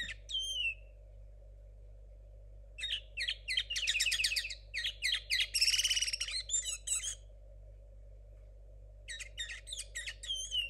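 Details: Young hybrid linnet born in 2022, still working out its song: bursts of rapid chattering chirps and dense buzzy trills in several phrases, some clear whistled notes in between, and a steady background hum.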